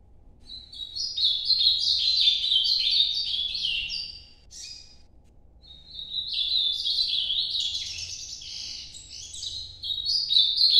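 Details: Two warbled song phrases from an Ultramarine grosbeak in the Nordeste style, noturno version: a rapid, twisting whistled run, a pause of about a second, then a second similar run that keeps building.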